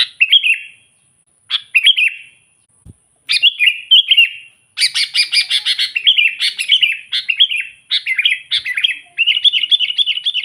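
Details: Lively sooty-headed bulbul calling to rivals and luring wild birds, a natural recording: varied bubbly chirped phrases building into a dense, fast run of warbled notes, with one faint low thump.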